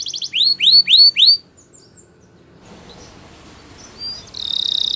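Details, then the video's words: Brief Spanish Timbrado canary song for canary training: a short stutter and four loud, swooping downslurred whistles, then near silence with faint notes, before a rolling buzzy trill begins at the end. "The Best Timbrado Canary Sounds !! Suitable For Timbrado Canary Training"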